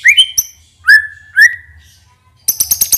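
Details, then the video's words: White-rumped shama giving clear whistled notes, several long level whistles with sharp onsets, followed by a quick series of five high chipping notes. "PANCINGAN MURAI BATU NEMBAK ISIAN INI | SHAMA BIRD"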